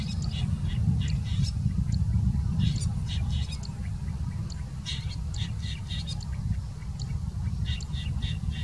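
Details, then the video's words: Long-tailed shrike of the tricolor race in India, singing and mimicking other birds: rapid, varied squeaky chirps and sharp high notes in irregular bursts, set over a constant heavy low rumble of wind or distant traffic. "Long tailed Shrike tricolor singing and mimicking"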